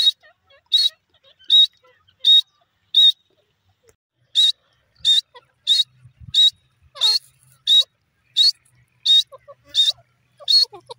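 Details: Grey francolin (bhora teetar) calling: a series of loud, sharp, high notes, about a dozen in eleven seconds. The notes are evenly spaced, with a brief pause near the middle. Faint softer chirps are heard underneath.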